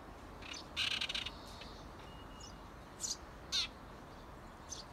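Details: Eurasian tree sparrow at a nest box, with parents prompting 17-day-old nestlings to fledge. A harsh, noisy chattering burst is followed by scattered short, high chirps.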